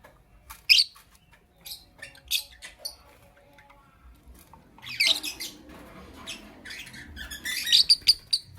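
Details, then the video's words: Lovebirds chirping in the morning, kept as pet parrots: harsh, high squeaky chirps in short bursts, a sharp one early, then a denser cluster of rapid shrill notes toward the end, quiet room background. "Lovebirds Chirping Sounds"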